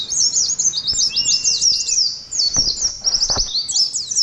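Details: Ngalas competition song of a caged Oriental white-eye: tightly packed shrill chirping, one sustained flat whistle early on, and a few sharp clicks sounding beneath the song.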